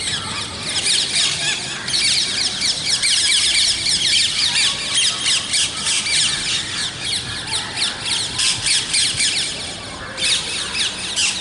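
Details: A long run of scratchy parrot calls, many birds overlapping in a continuous rasping chatter of fast repeated notes, easing briefly near ten seconds before swelling again.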